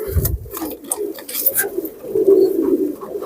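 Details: Indoors with newly brought Pakistani teddy pigeon youngsters: soft low coos come in short pulses, strongest in a sustained murmur past the two-second mark, with a thud at the start and light rustles.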